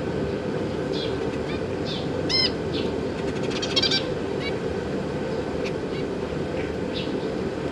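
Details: Caged zebra finches, a pair with three juveniles and three newly hatched, fledging babies being fed by the parents: short nasal, harmonic beeping notes scattered through the clip, a few louder ones, over a steady loud hum.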